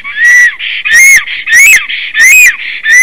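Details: A male Latvian black stork named Kaupo, just arrived on 17 April 2019 around 15:51, sings a long song: loud wheezy whistled notes that rise then fall with rasping bursts, repeating roughly every two-thirds of a second.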